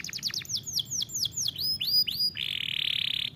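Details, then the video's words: Canary song for training young birds: rapid downslurred whistled notes slowing into drawn-out curving syllables, then a steady buzzy trill to the end. "Este poderoso som de canário é adequado para treinar seu canário"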